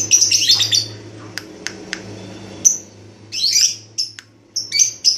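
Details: Red-headed lovebird in training for ngekek, the trilling chatter. A scratchy high burst opens, then sharp clicks, then more raspy bursts near the end. A low hum runs underneath.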